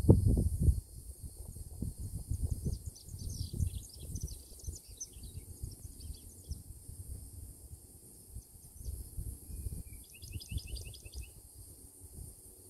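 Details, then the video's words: Song of a Bachman's sparrow in southeastern Florida: a jumble of varied high twittering notes, a pause, then a soft drawn-out whistle leading into a fast high trill. Heavy low wind gusts run throughout. "Bachman's Sparrow"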